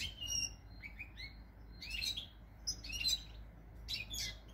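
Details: Goldfinch song from 8 February 2020, sparser here: scattered high tinkling notes, a few rising slurred chirps and brief twittery clusters separated by short gaps, over a faint low hum.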